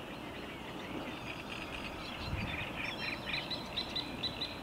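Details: At Lake Czerniakowskie on 24 May 2021, a Eurasian reed warbler sings. Quiet grating notes build into a quicker series of clicking, repeated chirps toward the end, with low rumbling noise throughout.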